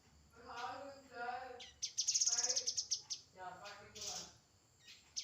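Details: Grey-headed canary-flycatcher song: a quick, thin, high trill of closely repeated notes, preceded and followed by lower, wavering warbles.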